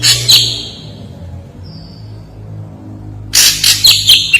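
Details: Ashy drongo (Dicrurus leucophaeus) song: loud, sharp, clear notes in bursts, a quick phrase at the start and a rapid run of ringing notes near the end, with a faint low hum.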